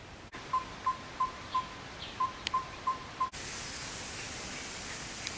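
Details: Yellow-rumped tinkerbird (Pogoniulus bilineatus) in Karura Forest, an urban forest in Nairobi, Kenya, giving its distinctive call: about eight hollow, pure, mid-pitched tonk notes at roughly three per second, followed by a loud hiss of wind.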